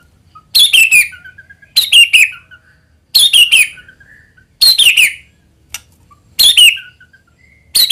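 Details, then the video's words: White-rumped shama lure song of repeated bursts of sharp, high descending chips, each burst followed by a soft short whistle, recurring roughly every 1.4 seconds. "AUTO NYAUT MURAIBATU APAPUN AKAN TERPANCING UNTUK BUNYI GACOR JIKA MENDENGARKAN SUARA PANCINGAN INI"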